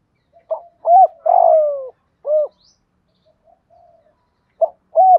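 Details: Spotted dove calling to attract wild doves, 'thổ pha' voice: a complete four-part coo phrase whose long middle note is burry and falling, then quiet soft notes before the next phrase begins.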